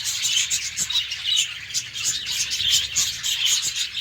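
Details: Caged budgerigars in the morning, a busy flock chorus of high, rapid chirps and warbling twitters overlapping continuously without pause, many birds calling at once.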